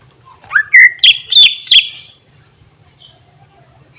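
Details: Song of a greater green leafbird with mimicked fill phrases, said to agitate other birds. A rising whistled slur leads into four or five loud, sharp, jumbled whistled notes over about a second and a half. Quiet follows.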